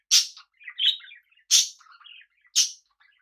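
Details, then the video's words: Pet budgerigars kept together with cockatiels, giving loud broadband chirps about once a second between softer warbled chatter, in a quiet indoor setting. "Life of Cockatiels and budgies"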